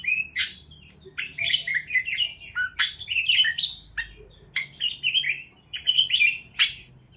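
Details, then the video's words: Chirping parakeets aimed at lonely pet parakeets: lively warbling chatter punctuated by repeated sharp clicks every second or so, over light background hum. "Help Lonely Parakeets to Chirp | Parakeets Chirping Sounds"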